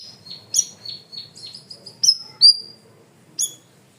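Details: Cream-vented bulbul (cucak rawis) in full masteran training song: a quick chatter of high chirps, then two strong bright whistles, a short pause and a final ringing note.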